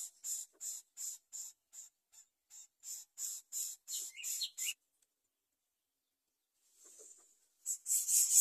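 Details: Greater coucal young begging for food with a series of hoarse hissing bursts, each under half a second. A few higher chirps come near the end of the series, then a pause of about two seconds before louder rasping starts again.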